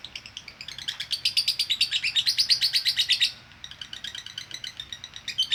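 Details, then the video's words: Training audio of a female lovebird's konslet: fast, buzzy chirps building in loudness for three seconds, a brief pause, then the harsh chattering resumes more softly. "Masteran Ampuh LOVE BIRD Betina Konslet"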